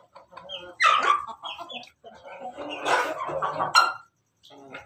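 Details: Red Ayam Ketawa rooster standing on top of its coop, crowing melodiously: broken, stuttering harmonic bursts rising and falling over about four seconds, with a short pause near the end and faint chirps of other birds.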